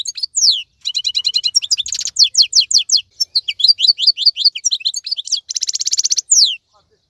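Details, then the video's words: European goldfinch of the wild type, still singing through the moult while other birds are quiet, delivers a continuous rapid twittering song mixing liquid slurred notes, fast stuttering trills and a harsh buzzy rattle near the end. "تغريد افضل من كل تغاريد طائر الحسون الخلوي"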